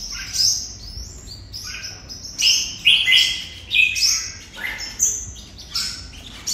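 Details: Red-whiskered bulbul from Vietnam performing 'hút mật' style song: a run of short, clear, warbling whistled notes repeated about every half second to second, rising and falling in pitch.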